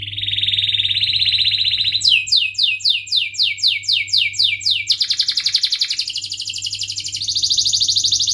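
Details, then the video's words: Canary in rolling ngerol song with cuit-cuit chirps, played to train young canaries: a steady buzzing trill, a row of about ten sharp descending sweeps, then fast pulsing rolls at varying pitch; faint hum underneath. "Kenari Gacor Cuit cuit Ngerol"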